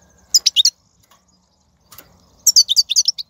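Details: Wild European goldfinch recorded in 2019, its 'bitbita' twitter used to spur caged goldfinches into song: two quick bursts of bright, high, liquid tinkling notes, about four notes then six or seven, separated by a short silence.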